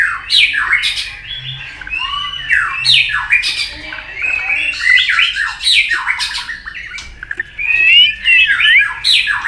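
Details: White-rumped shama in an aggressive singing bout: repeated harsh, scratchy downward-slurred phrases mixed with whistles, delivered in quick succession.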